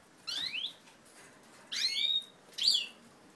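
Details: European goldfinches from a native ancestral line during pair formation, 20 March 2012; three separate bursts of sweet, upward-sliding twittered notes, each under half a second, over a quiet background.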